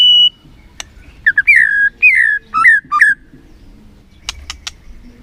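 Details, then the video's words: White-rumped shama singing as a lure to excite a sluggish bird; clear whistled phrases, several short rising-then-falling notes in quick succession, followed by a few sharp clicks and a quiet pause. "PANCINGAN MURAI BATU BONGKAR ISIAN GACOR, MURAI BATU MALAS NAIK EMOSI LANGSUNG BUNYI GACOR."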